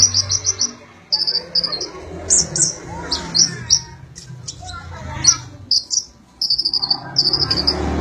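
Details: Brown-throated sunbird song, used as song material for training magpie-robins: short, high, rapid chattering trills repeated in quick bursts, with sharp buzzy notes between them, over a low background murmur.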